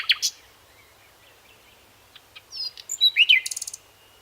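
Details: A common nightingale (Luscinia megarhynchos) begins with two loud notes, stays mostly quiet, then delivers a rising phrase of whistles and quick repeated notes ending in a buzzy trill.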